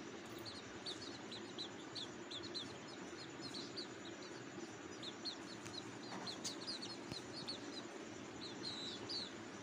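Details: Hungry cuckoo chicks in the nest, begging: thin, high chirps repeated rapidly and unevenly throughout, faint over a steady low rumble of background noise.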